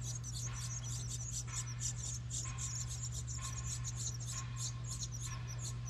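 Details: Nestling house wrens being fed in a recycled license-plate birdhouse beside a New England home give rapid, high, squeaky chips throughout, with soft broadband fluttering pulses about once a second and a constant low electrical hum.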